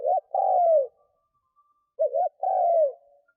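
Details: Two cooing phrases from a decoy spotted dove meant to attract wild doves, each a brief wobbling note and then a longer coo sliding downward, separated by a short pause.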